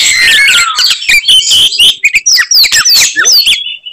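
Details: Fighting Oriental magpie-robin pouring out a provoking song: a long falling whistle, then rapid sweeping whistled notes, scratchy phrases and quick upslurred chirps, loud and close.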